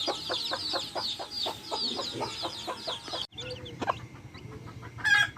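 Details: Backyard hens with chicks: high chick peeps over a steady run of short clucks or pecks for three seconds, then a sudden cut to quieter scattered sounds, a low hum and a brief noisy burst at the end.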